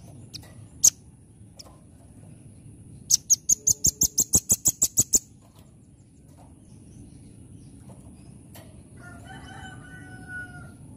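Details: Velvet-fronted nuthatch, locally called rambatan, singing in the lively 'gacor, nembak' style: a quick burst of about a dozen sharp, very high notes fired in rapid succession over two seconds, preceded by scattered single ticks, with a faint lower tonal sound near the end.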